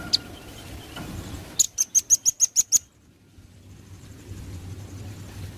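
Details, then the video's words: Velvet-fronted nuthatch in full song, a master recording for tutoring other birds: one quick run of eight piercing high chips after a faint opening note, then low rumbling background. "burung rambatan paruh merah gacor masteran handal"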